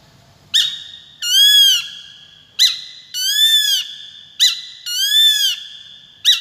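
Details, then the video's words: Repeated Peregrine falcon calls: three pairs, each a short sharp note followed by a longer harsh, arched wailing note, with a pair about every two seconds and a final sharp note at the end. "Peregrines Falcon | សម្លេងសត្វស្ទាំង"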